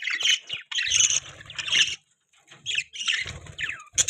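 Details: Budgies chirping loudly in bursts: shrill, buzzy warbling chatter with harsh squawks, broken by a short pause midway and a low rumble beneath.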